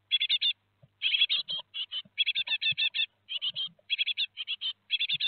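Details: Great tit young in a nest box at Théding, France, on 17 July 2020, the day the four chicks leave the nest. Dense runs of shrill, quick chirps come almost without pause, with faint soft knocks beneath.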